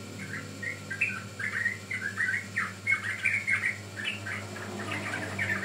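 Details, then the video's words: Sooty-headed bulbul song used as a lure for other birds: a bubbly run of short chirping notes, clustered and slightly warbled, pouring out continuously over a faint low hum. "Pancingan Ampuh Burung Trucukan Paud"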